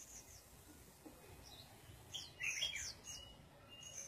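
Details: Red-whiskered bulbul sunbathing; a short cluster of bright, sharp chirps around the middle, with faint scattered high notes before and after over a soft background hiss.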